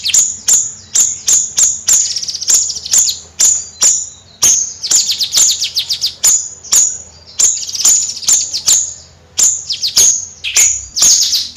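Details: Bayeman bird singing in a rapid, chattering 'nyrecet' style: sharp, very high clicking notes repeated several times a second in continuous bursts, with brief pauses between runs and little else in the background.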